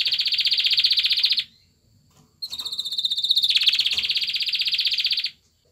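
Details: Male canary singing to a female to stir her to mate: two long rolling trills of rapid pulses, the second opening with a sharp high note and swelling louder, separated by a short pause.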